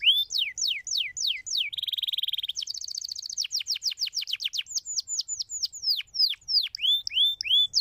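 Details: Canary singing, meant to encourage other canaries to sing; falling whistled notes, then a buzzy steady trill, a rapid high rattle, and a series of spaced descending and upturned whistles.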